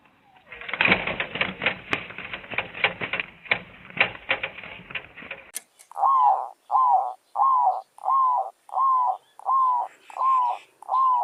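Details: Wild zebra dove by a decoy during village trapping: several seconds of loud rustling and flapping, then eight clear, mid-pitched, slightly arched coo notes at an even pace of about one and a half per second.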